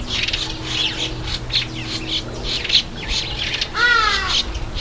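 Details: A red-headed finch bathing. Busy high chirps and tweets run throughout, and then a single harsh, nasal call with stacked harmonics sounds near the end.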